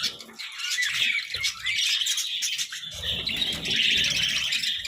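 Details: Group of budgerigars feasting on vegetables, giving a lively stream of bright chirps and scratchy twitters that never stops, with low knocks and rustling from feeding under the chatter.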